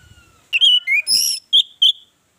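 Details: Orange-headed thrush song used to lure other birds into singing: loud whistled phrases, one falling and one rising, then two clear high notes, opening over faint background chatter.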